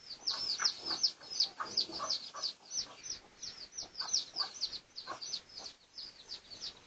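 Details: Red junglefowl of the pradu (dark red) colour form, recorded for research on 18 August 2023: a fast series of thin, high, downslurred chirps, about two to three per second and unevenly spaced, over faint background hiss.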